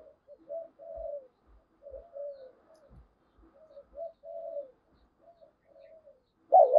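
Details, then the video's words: Spotted dove used as a lure bird to provoke wild doves to fight, giving soft low cooing phrases repeated at roughly one-second intervals, then a louder coo at the end. "Chim Cu Mồi Thúc Đấu/ tieng cu gay kich boi nhanh noi"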